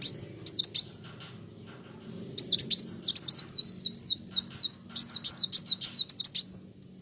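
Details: Olive-backed sunbird, locally called kolibri wulung or kowul, singing vigorously: a short burst of high, thin, sharply downslurred notes, a pause, then a fast chattering run of high twittered and zigzag notes, with a faint low hum behind.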